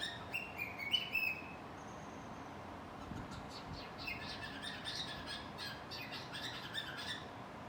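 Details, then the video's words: Cockatiel kept as a pet, singing from a hiding spot: a few sharp whistled chirps at the start, followed by softer, rapid twittering notes over constant room hiss. "Funny Cockatiel | Look Who is Hiding and Singing"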